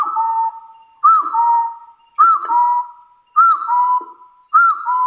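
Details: Hill partridge of the forest giving its fighting challenge to rivals. Five steady whistled phrases come at intervals of about 1.1 seconds, each a brief arched note run into a long level tone, with faint soft clicks between.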